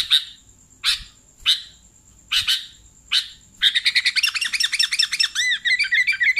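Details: Sooty-headed bulbul calls for luring bulbuls: five separate harsh chirps about half a second to a second apart, then a sudden fast bubbly chattering of looping notes to the end.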